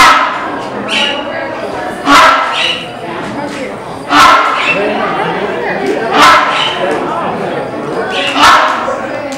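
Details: Rhinoceros hornbill at a zoo, indoors in a large hall: loud, harsh, honking calls repeated about every two seconds, echoing, with people talking throughout.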